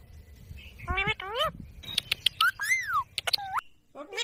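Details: Indian ringneck parrot kept as a pet mimicking speech: harmonic, voice-like syllables, short sliding whistles and crisp clicks over a low background rumble.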